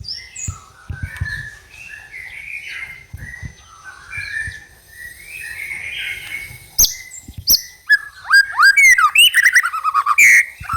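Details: White-rumped shama lure song in trotol style: soft warbled notes at first, then sharp high notes and a fast closing burst of loud rising and falling whistles.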